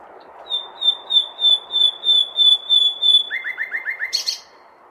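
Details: Nightingale song at night in May within a large city: a slow series of about ten pure whistled notes on one pitch, swelling in volume, then five quick lower notes and a sharp burst, with faint urban rumble beneath.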